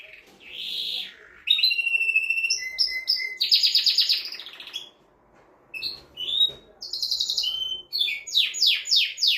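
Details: Male canary song to prepare a female for breeding: separate phrases of whistled tones, steady rolling trills and buzzy notes split by short silences, closing with a series of rapid sweeping downslurred notes repeated about twice a second.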